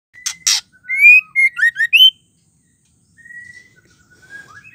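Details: Female white-rumped shama singing, a song used to stir males into singing: two sharp ticks, then a run of loud, clear whistled notes rising and falling, followed by a softer, drawn-out whistle and quiet warbling.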